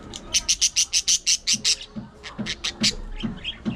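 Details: Budgerigars in an aviary colony: a fast run of bright, high, scratchy chirps repeated about four times a second, then a looser series of chirps mixed with lower clicking notes.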